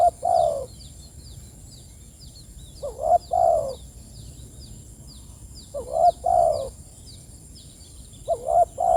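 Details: Spotted dove calling its companions, repeating low, soft coo phrases of a quick double note and a longer falling coo roughly every three seconds, accompanied by scattered high chirps of other birds and a steady high hum.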